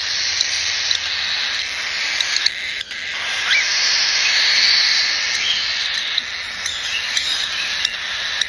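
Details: Harsh, hissing 'jaa-jaa' begging from cockatiel babies about a month old in Tokachi, Hokkaido, a cry limited to the chick period; the rasping chorus swells near the middle, with a few faint clicks.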